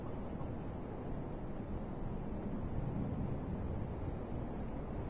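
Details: Steady low rumbling wind or engine noise fills the recording, with no clear animal call heard.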